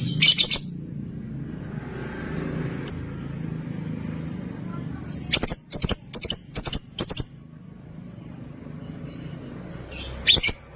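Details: Lutino opaline lovebirds in a cage give shrill, sharp chirps: a lone note, then a quick run of about six near the middle, over a low steady rumble of background noise.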